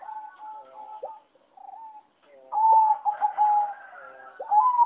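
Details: Singing zebra dove from a breeding farm, bred over decades for competition, with a melody judged bad: soft steady coos, a pause, then a loud rattling trill of rapid stutters and a final rising coo.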